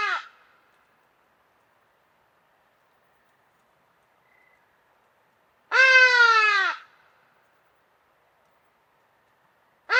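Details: Hadada ibis giving its loud trumpeting call, a strident, nasal honk lasting about a second with a slight downward bend, plus cut-off fragments of similar calls at the start and end, silence between.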